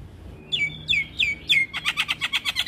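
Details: Javan myna singing a full varied song, used to lure other mynas into responding: four downward-sliding whistles, then a fast run of sharp clicking, chattering notes repeated several times a second.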